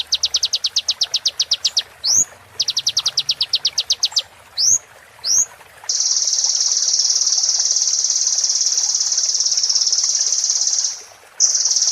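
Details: Sunbird song for training caged birds: fast high clicking trills and rising whistles, followed by a long unbroken buzzy trill lasting about five seconds.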